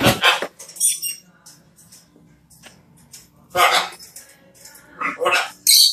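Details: A talking macaw gives loud, rasping squawk-like utterances at the start, mid-way and near the end, with quieter speech-like murmurs between them.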